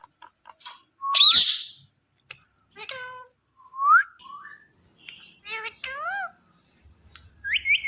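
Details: Indian ringneck parakeet, a talking green pet parrot, runs through a string of mimicked talking sounds with short harmonic syllables, rising and falling whistles and a few sharp clicks, separated by brief pauses.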